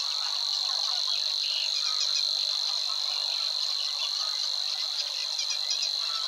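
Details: Singing Savi's Warbler in a Dutch marsh at Wetering West near the Weerribben, Overijssel, early May 2022; a continuous high buzzing reel holds steady throughout while faint twittering notes from other birds flicker behind it.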